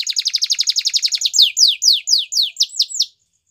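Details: Male Belgian canary song phrase: a quick rattling trill of about twenty evenly spaced notes, then slower descending whistled sweeps repeated about three times a second before stopping.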